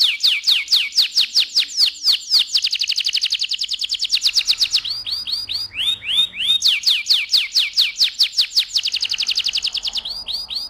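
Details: AF canary singing loudly in the rolling 'ngerol' style: rapid trains of high, swept notes repeated many times a second, broken by short runs of lower curved chirps, then another long fast trill and more chirps; no other sounds.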